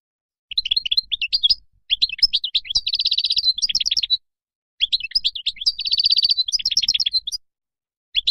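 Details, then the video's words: Goldfinch singing the wild style meant for young birds to hear: fast high twittering phrases, each holding a buzzy, rapid trill in the middle, repeated twice with short gaps. "تغريد الخلوي أو البري لطائر الحسون"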